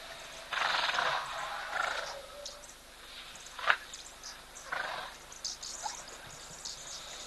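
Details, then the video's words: Several oxpeckers perched on zebra at an African waterhole, 1 July 2024, give harsh, hissing rasps in bursts a few seconds apart, with one brief higher note between, in quiet outdoor background. "And of course you can hear lots of oxpeckers now prevalent on the zebra. They're also calling. They"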